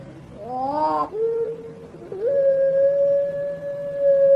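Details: Turtle dove (puter pelung, European turtle dove) gives a brief wavering, rolling coo, then a long, melodious, low hollow note that slides up and holds steady for about two seconds, with faint background hum.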